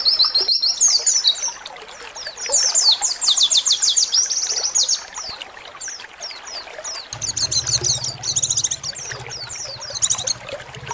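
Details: Oriental white-eye, a small bird calling 'ciak ciak', heard as a lure for kept birds: rapid high-pitched chirping trills in quick descending strings, with a low steady hum joining in the later part.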